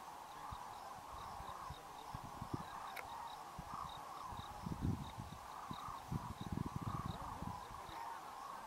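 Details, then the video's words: A winter flock of over 40,000 common cranes takes off at evening for roosting sites after feeding on grassland tubers in the Great Rann of Kutch, January 2013. A distant, continuous chorus of trumpeting blends with low rumbling thumps. "Massive flocks of Common Cranes at Great Rann of Kurch"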